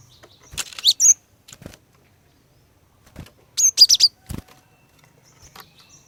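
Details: Female cinereous tit calling to lure males into singing: short bursts of high, sharp twittering notes, two clusters several seconds apart, with soft clicks and light knocks between.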